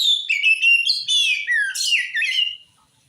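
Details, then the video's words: Oriental magpie-robin singing vigorously so that other magpie-robins respond: rich varied whistles, high sweeps and a descending slurred note, delivered in quick succession for over two seconds before fading out. "Suara Kacer Gacor ini Ampuh Bikin Kacer Bahan Langsung Nyaut"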